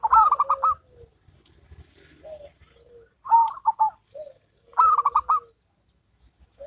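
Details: Duet between a local and a crossbred zebra dove: three loud bursts of fast, stuttering coos, each ending in a lower drawn-out note, with quieter low coos between them.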